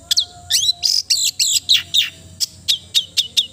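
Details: Long-tailed shrike (cendet) giving a melodious song: sharp high notes and downslurred whistles, first in a dense jumbled burst, then spaced evenly about every quarter second, with faint background hum.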